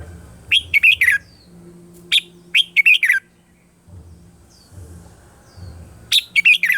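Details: Red-whiskered bulbul morning song for voice training: three bursts of short, bright warbled notes, each phrase of four to six quick whistles rising and falling, separated by pauses, over a faint low hum.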